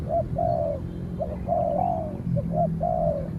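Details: Spotted doves calling at each other as a trained decoy faces a wild bird that keeps back; brief coos followed by long flat hollow notes, repeating phrase, with a low steady hum underneath.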